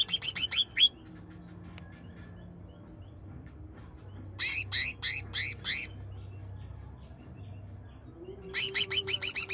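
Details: Young greater green leafbird in moulting plumage giving loud 'nyerecet' bursts meant to provoke a lazy bird into singing: short fast series of piercing downswept notes at start, middle and end, separated by quiet gaps with a steady low hum.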